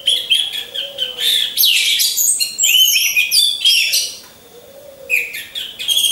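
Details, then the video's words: Caged orange-headed thrush trained by hanging in a row, singing a lure song: energetic high warbling and whistled notes with a short lull, then another burst. "Pancingan Burung Anis Merah"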